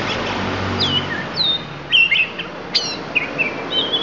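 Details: Lampung oriental magpie-robin giving its isian, or fill-in song, as a series of slurred whistles, downward sweeps and short sharp notes, with varied phrases at irregular intervals and a steady low background hiss.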